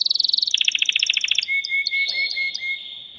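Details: Worked-up male canary sings to excite a female for breeding: a very fast pulsing trill drops to a lower roll, then gives way to a sustained thin tone with short accented notes over it.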